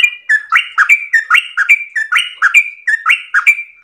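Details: Yellow-vented bulbul (trucukan) singing actively in the long 'ropel' style: rapid, unbroken run of bright, liquid, slurred notes alternating between higher and lower pitch, paired phrases repeated about every half second, clean with no other sounds.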